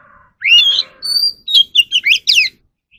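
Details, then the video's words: Oriental magpie-robin kept in captivity, singing for voice training. A faint murmur comes first, then a rising whistled phrase, a long high tone, and a burst of quick twisting notes ending in downslurs. "kacer alam | choè than luyện giọng || Choè than kích bổi ra giọng เสียงนกกางเขนบ้าน"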